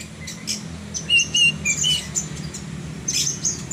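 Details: Horsfield's bush lark in energetic song: paired clear whistles repeated quickly, then mixed high chirps and a buzzy phrase, over a quiet low hum.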